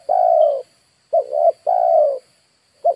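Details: Spotted dove used as a lure for wild birds, giving mellow low coos: a long drawn-out falling note, a short doubled coo, then another long note, with a faint constant high hum behind.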